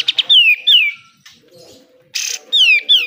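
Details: Pied triller (kapas tembak) song for training caged birds: two quick pips, then two clear whistles sweeping downward, a harsh buzzy burst, and two more falling whistles.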